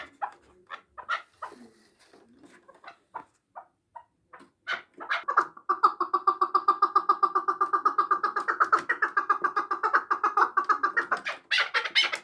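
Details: Chukar partridge from Samarkand starts with scattered soft clucks, then breaks into a fast, even chattering run of nasal chuk notes, almost four per second, ending in a few louder harsh notes.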